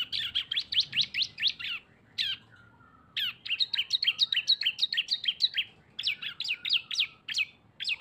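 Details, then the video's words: Two cisem birds combined into one lively lure: dense, continuous strings of quick, high, downslurred chirps that overlap and run almost without a break, with a short pause around the middle. "CISEM GACOR ‼️ SUARA BREN kombinasi 2 burung"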